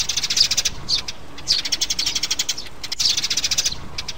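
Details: Sparrow trapping call with a mother and her young: fast, high, repeated chirps in steady bursts, with a few louder accented notes standing out.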